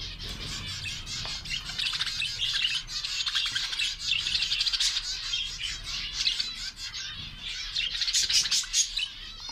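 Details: Young budgerigar calling: a dense stream of scratchy chattering chirps and squawky notes for nearly ten seconds, rising in intensity toward the end, with low room hum underneath.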